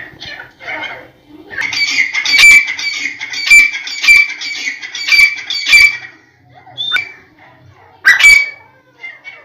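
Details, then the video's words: Black francolin, known as teetar: a harsh, grating burst of rasping notes lasting about four seconds, with sharp clipped accents at roughly one-second intervals, then a short gap and another harsh note. "Frankolin voice | teetar ki awaz"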